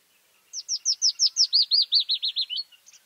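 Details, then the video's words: A May song of the white-spotted bluethroat, Luscinia svecica cyanecula: about thirteen clear, looping high notes repeated rapidly in a steady row, ending in a short flourish and two faint clicks. "A Bluethroat (Luscinia svecica cyanecula) song in May"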